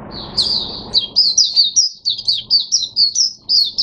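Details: Starting song of a captive Oriental white-eye, 5 May 2022. After a soft start, a brisk chain of bright, falling high chirps repeats several times a second.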